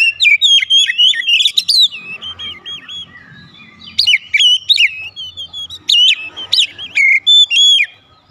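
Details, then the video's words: Oriental magpie-robin lure song meant to make other magpie-robins answer in full voice: bursts of sharp, varied whistles and slurred notes in two loud phrases, with a quieter rambling passage between them and a faint low hum beneath. "PANCINGAN KACER MANAPUN AUTO RESPON NGEPLONG"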